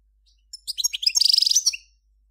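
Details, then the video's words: Lively twittering from a Major-form European goldfinch, recorded in 2014, builds quickly into a rapid, rattling buzzy trill and finishes on a couple of clear, high notes. "صوت الحسون الأصلي - Stieglitz Major Beste Gesang - Le roi du chardonneret"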